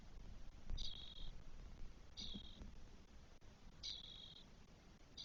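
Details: Twelve-day-old spotless starling nestlings, four together in their nest in Spain, 1 June 2022, calling in scratchy, hissed bursts. Three full notes and the start of a fourth, over low thumps and rumble.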